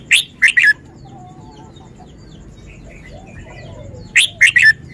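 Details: Red-whiskered bulbul demonstrating its song phrasing: two loud three-note phrases of ringing, slurred whistles about four seconds apart. Faint thin whistles and chirps from other birds run between them.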